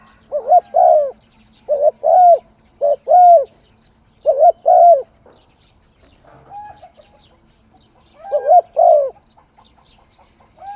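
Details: Spotted dove cooing in a series of paired short-and-long phrases, about five in a row with brief gaps, plus quieter softer notes in between.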